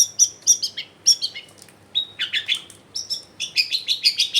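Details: Lively Long-tailed shrike, recorded indoors at home in a densely populated area to coax silent shrikes into song, delivering strings of high, sharp chirps with brief shrill whistles and fast repeated notes.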